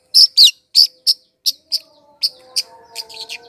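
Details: Long-tailed shrike song used to lure wild birds. Sharp, high, squeaky chirps are spaced unevenly, loud at first and then softer, with faint steady tones toward the end.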